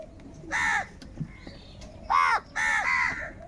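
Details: Loud crow caws from a flock fighting over food, three rough nasal calls, the last two close together, over quiet background murmur.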